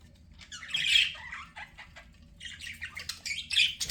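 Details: Pet budgie chatter: soft scratchy notes build to a louder burst of chirps, fade briefly, then return as fast, busy twittering toward the end.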